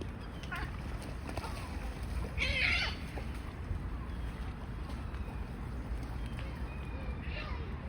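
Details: Seagulls mingling with swans at a swan sanctuary on the River Severn, loud while searching for food: a harsh, strident squeal mid-way, with fainter shorter cries near the start and end, over a steady low rumble of outdoor noise.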